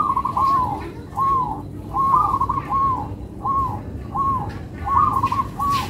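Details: Rhythmic cooing of a local zebra dove: soft arching, rolled notes repeated roughly once a second in an even, melodious pattern over a low steady hiss.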